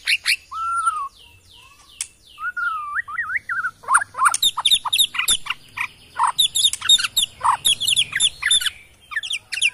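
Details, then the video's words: White-rumped shama from the forests of Kalimantan, Borneo, opening with downward-sweeping high notes and smooth whistles, then speeding into a fast, varied run of sharp chips and rich whistled notes, several each second. "Bikin Murai lain EMOSI!! ~ AKSI murai batu BORNEO ori Hutan KALIMANTAN"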